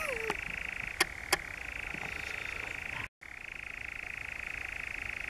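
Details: Even, motor-like churring from a European nightjar, the Brecks, Norfolk, 7 July 2017, with two sharp taps early on and a brief cut-out in the recording before the trill resumes.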